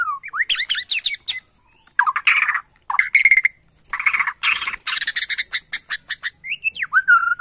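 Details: Agitated Borneo white-rumped shama answering a lure: harsh buzzy rasping bursts mixed with slurred whistles and quick clicking notes, with brief silent gaps.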